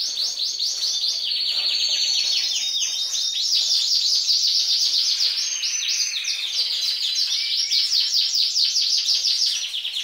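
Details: Female canary singing like a male to stimulate males: continuous loud rolling trills of rapid downward sweeps, shifting pitch through varied tours without pause.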